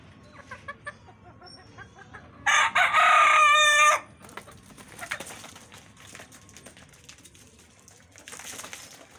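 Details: Rooster from a mixed rooster-and-hen flock lets out a powerful, harsh crow of about one and a half seconds after quiet clucking, then the yard returns to low murmurs and faint bird calls.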